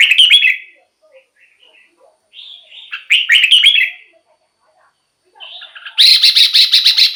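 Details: Used as a decoy to stir caged bulbuls and draw in wild birds, a red-whiskered bulbul gives chirpy, rolling whistled phrases separated by pauses, ending in a dense, buzzy burst.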